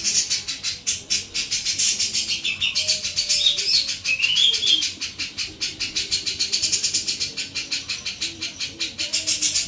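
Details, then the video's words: Sooty-capped babbler in full, energetic song, its clear voice giving brief high warbled whistles midway through, set against a steady, fast train of dry, hissy ticking pulses and faint low tones. "JENGGOT JAWA GACOR FULL BESET SUARA JERNIH"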